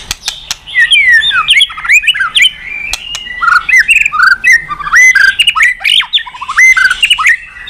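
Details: White-rumped shama song, used to prompt other birds into singing: a varied, fast stream of mid-pitched whistled slurs, hooks and squeaky notes with short gaps, full of sudden pitch jumps.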